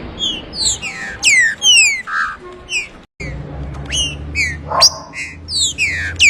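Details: Trinca-ferro 'abrir canto' song: steady stream of loud downward-sweeping whistles mixed with short buzzy notes, broken by a brief silent gap midway, over a low hum.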